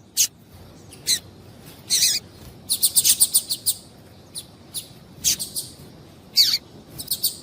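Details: Female Double-collared Seedeater giving calls meant to excite a male and get him singing: a busy string of brief high chirps, some in quick clusters, irregularly spaced across the recording.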